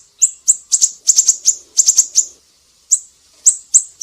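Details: Siri-siri used as a tutor recording for cage songbirds such as cucak ijo, murai batu and kacer: very high, sharp chips, some single, some in quick doubles and triples, with short pauses between bursts.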